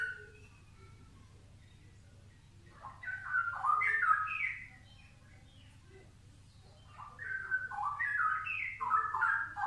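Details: A straw-headed bulbul gives two bursts of rich, gurgling whistled phrases with rapid rising and falling notes, separated by a quiet pause, against a steady low electrical hum.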